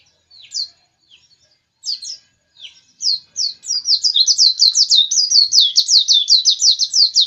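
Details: White-eye warming up with a few scattered high chirps, then breaking into a continuous fast, high twittering run of rapid slurred notes lasting over three seconds.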